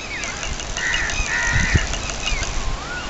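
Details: A domestic goose on a fish farm in Kamoke, Pakistan, by day gives harsh, drawn-out nasal honks over a low background rumble.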